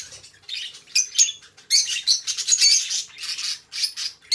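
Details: Pair of pet budgies chattering in quick, raspy, high warbles, with a quiet start and then near-continuous scratchy trills and chirps broken by short gaps.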